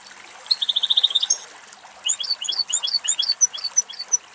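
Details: Female European goldfinch in Greek countryside, feeding at very close range: a quick run of about ten even, high ticking notes, then a loose, lively twitter of varied chirps and short slurred whistles.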